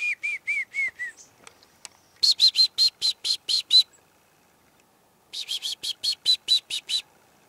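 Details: Chickadees visit a hunting tree stand one morning in 2008: a few quick clear notes, then two runs of about eight harsh, buzzy 'dee' notes, each run lasting nearly two seconds, with little else heard.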